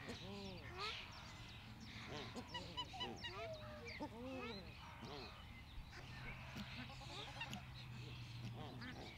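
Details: Australian shelduck (Tadorna tadornoides), kept by a Dutch ornamental waterfowl hobbyist: a series of nasal, arched honks with rich harmonics, uneven in timing, mixed with fainter chirps of small birds and steady low background rumble.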